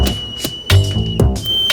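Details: A baby Sulphur-crested Cockatoo, rescued on a golf course after a 20 m fall from its nest and suspected of a broken leg and knee, gives a thin steady kettle-like whistle broken by rasping bursts, over music.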